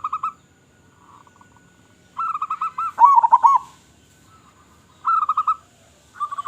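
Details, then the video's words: Local zebra dove in full, loud-voiced song, used as a lure for other zebra doves: bursts of rapid, rolling coos near one pitch, each lasting about half a second, separated by short silent pauses, with faint fainter cooing between bursts. "Perkutut Lokal Gacor Suara Besar Suara Paling di Sukai Burung Perkutut apa Saja"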